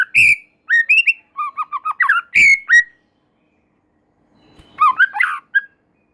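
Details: White-rumped shama singing prolifically, a song said to set other shamas singing: loud clear whistled phrases, rising and falling notes and short slurred runs in quick bursts, then a pause and a softer, twittering closing phrase.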